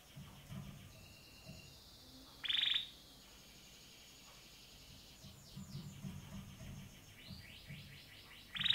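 A canary gives short, bright trilled bursts and a run of quick rising sweeps, separated by quiet gaps, over a faint low hum.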